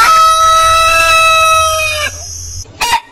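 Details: Rooster of a heritage breed holds a long, clear, steady crow for about two seconds that ends in a sudden drop, followed by a brief second call.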